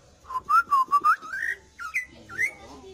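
Greater green leafbird song: a quick run of five rich, slurred whistles, then a few separate rising, liquid whistled phrases in a quiet room.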